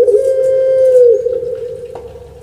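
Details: Brief stretch of a captive puter pelung dove's long coo from Java, Indonesia: a steady humming tone held about one second, then softening and dropping away.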